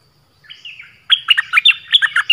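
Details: Orange-headed thrush song used as a decoy to lure wild birds, described as a fierce, fine voice: a faint thin warble, then loud clear whistled phrases with sharp rising and falling notes repeated rapidly.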